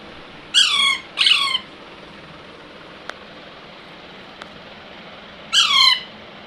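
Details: Young Alexandrine parakeet, a baby, calling with two grating squawks close together, then a pause of several seconds before a third similar harsh, falling squawk.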